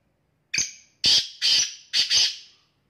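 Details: Black francolin, the Sindhi or kala teetar, calling: a loud harsh grating phrase of five rasping notes, a short first note followed by quick scratchy pairs, over about two seconds in quiet surroundings.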